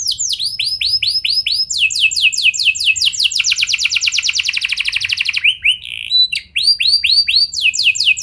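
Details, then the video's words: Canary lure song to get other canaries singing: a series of clear downslurred notes leads into a dense, fast rolling trill, then a brief break and more sweeping slurred notes. "Pancingan Ampuh Bikin Kenari Lain Bakal Ikut Gacor Do0r Dengan Pancingan Ini! Langsung Nyaut Ngeroll"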